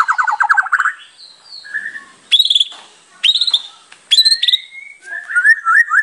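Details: White-rumped shama in full, varied song, used to lure other shamas: short trilled bursts alternate with clear, high whistled phrases and sharp notes separated by brief pauses, ending with a warbled run.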